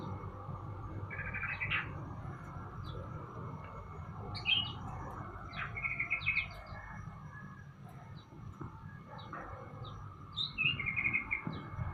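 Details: Sooty-headed bulbul being sunned in the morning: short bubbly, chirping phrases come in bursts near the start, middle and end, some with quick rising notes, over steady low rumbling background noise.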